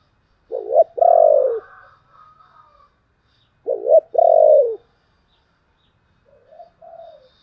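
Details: Spotted dove giving the 'chìm' style of cooing, used as a lure call to rouse a decoy bird into calling. Two loud, low phrases about three seconds apart, each a short doubled note then a longer falling coo, with a faint softer coo at the end.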